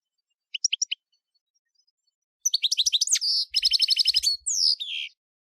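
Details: European goldfinch singing a camper-style song: a brief burst of four high chirps, a pause, then dense fast trills of repeated high notes in rapid runs, ending in a buzzy descending slur.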